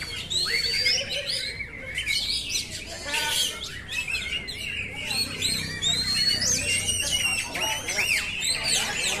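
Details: Continuous oriental magpie-robin song meant for training caged birds: clear whistled notes mixed with harsh buzzy bursts and fast rising slurs, the phrases crowding one another.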